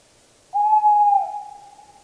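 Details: One long, pure hoot from a tawny owl. It starts loud, holds steady, then dips slightly in pitch and tails off gradually into a calm, silent background.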